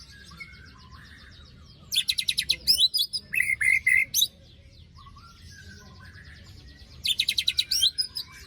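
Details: White-rumped shama singing after its moult, played to coax a shama that has stopped singing: bursts of rapid, dense chattering trills alternate with short clear whistled notes. The bursts come at about two, three to four and seven seconds, with quiet between them.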